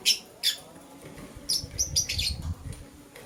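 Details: Morning lovebird chirping, a green bird calling as a blue lovebird scrambles for vegetables; two sharp high chirps open, then a quick cluster of bright squeaky chirps follows, over faint low rumbling.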